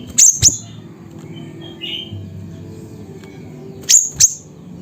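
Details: Siri-siri bird in Pidie, Aceh, Indonesia, at Busu Reului: two paired sharp high chirps at start and again near the end, with a gap holding faint distant whistles and low murmuring hum.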